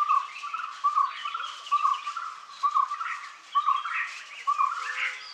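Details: Typical calling of a red spurfowl, known in Marathi by the echoic name Kokatri. Short, even, mid-pitched notes repeat in a steady series roughly once a second, with light chirping from other birds in the background.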